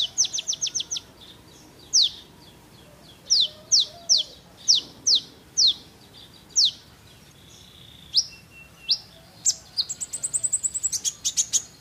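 Van Hasselt's sunbird sings thin, very high notes: a quick run of chips, then sharp downslurred notes spaced under a second apart, ending in a fast high trill.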